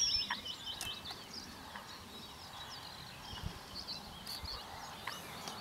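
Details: Male Eurasian penduline tit giving thin, high, drawn-out descending whistles, faint over a steady hiss of outdoor background noise with a few other soft chirps.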